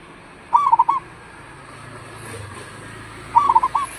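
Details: Local zebra dove calling as a lure to make other doves answer: two bursts of a rapid, bubbling coo, a quick run of four or five notes then a longer final note, over quiet hum.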